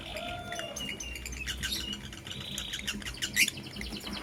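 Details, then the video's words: Blue opaline and green personata lovebirds in the morning, described as in love, giving scattered high chirps and short buzzy notes among mixed chatter, with one louder sharp squeak near the end. "Lovebird Chirping Sounds in Love"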